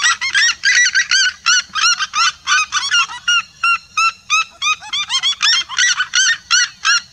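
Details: Flock of red-legged seriemas calling in unison, a loud, vibrant series of yapping, slightly downslurred notes, roughly three per second, dense overlapping voices early, then a clearer regular sequence.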